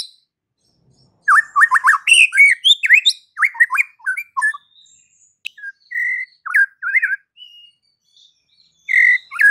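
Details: White-rumped shama (murai batu) song meant to stir other shamas into aggressive singing: after a second of silence, a fast rush of sweeping whistles and chirps, then scattered single notes and a final burst.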